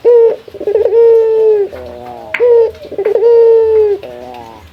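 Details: A male puter, a local dove, calls a rival. Brief clipped notes are followed by sustained, resonant coos that sag slightly at the end, repeated about every two seconds.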